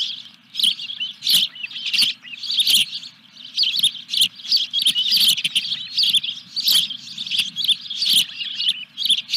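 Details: Osprey at a nest during a fish delivery, recorded 14 July 2021 at 21:23, giving a rapid series of high, sharp chirps in bursts, clustered and repeated roughly every half second with short pauses.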